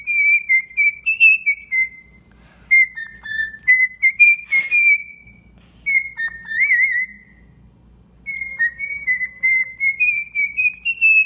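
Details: Pet cockatiel, tame, singing and whistling while children play: clear mid-high phrases sliding up and down in bursts of a few seconds with short pauses, broken once by a brief rustle.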